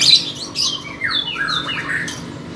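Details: Lovebird in contest singing, a harsh squawk then drawn-out sliding whistles and squeaky notes, loud and rasping at the start, with a low hum behind.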